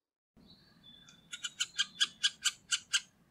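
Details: Middle spotted woodpecker near Liepāja, Latvia, in November 2023: a quick run of about nine harsh, nasal, evenly spaced notes that grow louder then steady, following a thin high whistle, with quiet background hiss.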